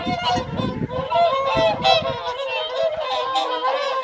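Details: Whooper swans gathered for the January 2023 evening feed at WWT Caerlaverock's Folly Pond; many overlapping resonant honks, some drawn-out and wavering, over low splashing or handling noise at the start.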